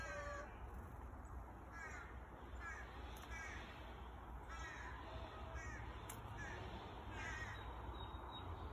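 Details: A chickadee fledgling in a garden gives harsh, buzzy, downslurred calls about once a second, over steady high insect-like droning and a low background rumble.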